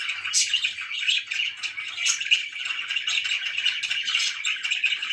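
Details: Pet budgerigars chirping: a dense, unbroken chatter of warbling notes and sharp chirps that overlap throughout, with bright metallic accents and no pauses or other clear sounds.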